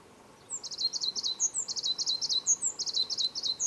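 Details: In Tamadaba Natural Park, Gran Canaria, in March 2010, a Tenerife blue tit gives a thin, high note and then a quick, buzzy run of lower notes, repeating about once a second over faint background hiss.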